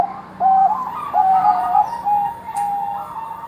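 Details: Zebra dove, a Bangkok-type perkutut played to prompt other doves into singing: a brief high click, then a string of soft whistled coos near one pitch, the last notes long and level, with a faint hum in the room.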